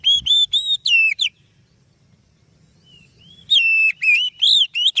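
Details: Oriental magpie-robin song, described as very beautiful and suited as a lure for training other birds: loud, clear whistled notes, some sliding downward, in rapid bursts, then a pause of about two seconds before another quick run of whistles.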